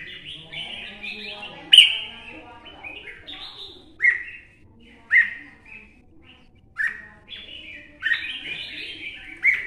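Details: Adult red-whiskered bulbul, caught wild in Quảng Nam, Vietnam, sings in a quiet setting. An opening run of chattering warbles gives way to spaced, punchy downslurred whistles, each separated by short pauses.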